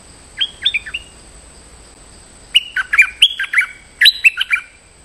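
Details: Stripe-throated bulbul used as a lure for a territorial resident bird: a short opening phrase of whistled notes, a pause, then two energetic bursts of rapid rising and falling whistles.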